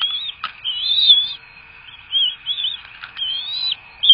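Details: Bald eagles feeding at a Florida nest on 3 May 2024: a series of high squeaky whistled calls, each a brief wavering slur, repeated with short gaps, with a soft click or knock near the start and a constant background hum.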